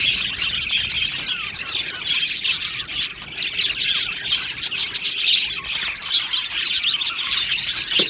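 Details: Aviary of Australian budgerigars singing and chirping, a lively chorus of rapid twitters, clicks and bright chirps from many birds, with a few louder sharp notes.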